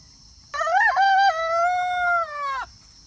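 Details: Rooster crowing on an off-grid homestead with pastured, free-range chickens: one loud crow of about two seconds, a quick rising, wavering start then a long steady harmonic tone that drops slightly at the end, over a quiet background.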